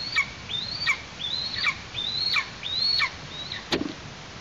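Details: At an eastern imperial eagle nest in Tatarstan in August, a chick gives five high, upslurred whistles with sharp falling tails, spaced roughly every 0.7 seconds, followed by a single dry click near the end.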